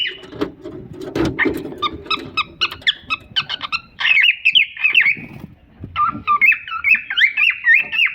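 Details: Pair of caged cockatiels: a busy stretch of short, clicky chirps and soft squawks over low rustling and thumps, then wavering, warbled whistles, rising and falling, toward the end.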